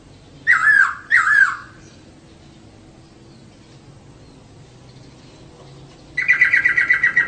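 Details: Female laughingthrush calling as a lure for males: two quick looping whistled notes, a long pause, then a fast buzzy rattle of repeated notes at the end.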